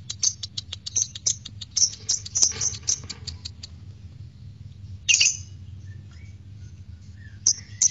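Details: Lovebird voice played to lure lovebirds into song: a rapid ticking chatter of sharp high notes for three seconds, a pause, then a loud shrill squawk and a final chirp over a low hum.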